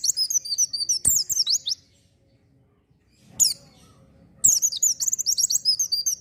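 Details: Oriental white-eye singing 'gacor' style as a lure for untrained birds: fast, high, shrill twittering, a silent gap with one lone chirp, then the rapid twitter resumes.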